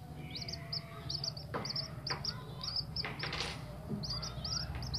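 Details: Tame common moorhen chick giving thin, high peeps, about three or four a second, over a steady low hum and a few soft clicks and rustles.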